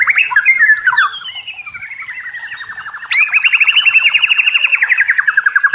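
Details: White-rumped shama from the forest in clear song: twisting whistles, then long even rattling trills, the second louder and higher after a sharp upslur.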